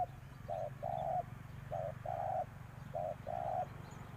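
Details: A spotted dove used as a decoy calls to attract wild doves. Muffled paired coos, a brief note then a longer flat one, come about once a second over a noticeable low hum.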